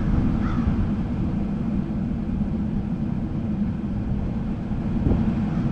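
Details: Steady low rumble of vehicle or engine traffic outdoors, with no animal voices.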